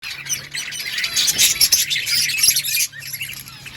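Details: Budgerigars in an outdoor colony chirping together: a dense, continuous wash of overlapping high twittering and warbling from many birds, easing off near the end.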